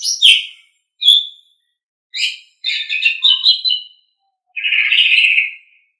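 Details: Asian pied starling song for training caged songbirds: sharp separate chirps followed by a chattering sequence and a final harsh, buzzy, drawn-out note lasting about a second.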